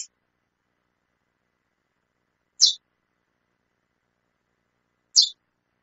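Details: Female chestnut-bellied seed finch calling repeatedly: short, sharp high chips spaced about two and a half seconds apart, with silence between.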